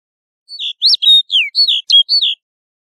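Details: Snow bunting song as one short, clear phrase of about seven sweet, slurred whistled notes, some rising and some falling, delivered briskly in under two seconds against silence.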